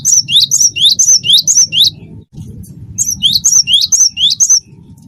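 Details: Cinereous tit (gelatik batu), wingko variety, singing persistently as a lure for other birds: two bouts of quick, regular two-note whistled phrases, each high note followed by an upslurred lower one, with a low hum behind.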